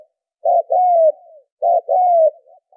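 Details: Spotted dove call played as a lure for training decoy birds in Vietnam: two phrases, each a short coo followed by a long, smooth coo that falls slightly and trails off, repeated about every 1.2 seconds on a silent background.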